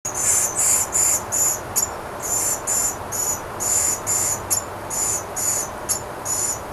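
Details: Eleven-day-old Western Flycatcher nestlings in a wild Pacific Northwest nest give a continuous string of thin, very high, hissing begging notes, about two to three per second, steady throughout.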